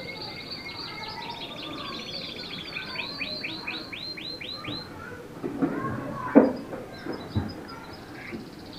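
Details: Roller canary singing: series of rapid high trills and rolling notes, each roll a quick repeated pulse, fading after five seconds, followed by faint clicks and knocks against a low background hiss.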